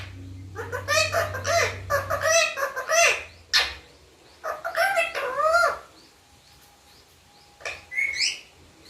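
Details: Pet parrot mimicking the word "papa": a series of harmonic, speech-like syllables in quick clusters with arched pitch, quiet gaps between, and a low hum beneath.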